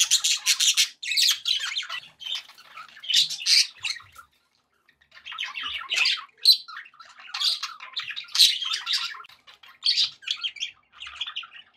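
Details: Happy budgerigars, kept as pets, chatter in busy bursts of scratchy warbling and sharp chirps separated by short silences, one near-silent gap at about four seconds.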